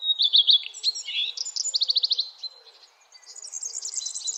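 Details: Sunrise birdsong in the early morning: quick high chirps and slurred notes lead into a rapid run of evenly spaced pulsed notes, a short pause, then softer high twittering.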